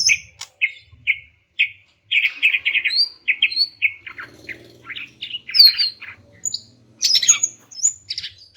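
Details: A female greater green leafbird calling males so that quiet males start singing: evenly spaced chip notes at first, then a fast, varied run of chirps and sharp whistled notes, ending in high bright twitters.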